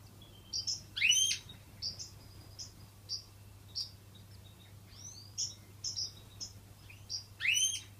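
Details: European goldfinches in an indoor aviary with chicks, giving short bright twittering calls and sharp rising chirps in scattered bursts, high-pitched, with a faint steady hum behind.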